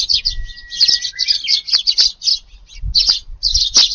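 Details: Sparrows feeding in a garden in the evening on July 18 as the wind picks up, calling with clustered bright chirps in quick runs, plus a thin steady tone and a few low knocks.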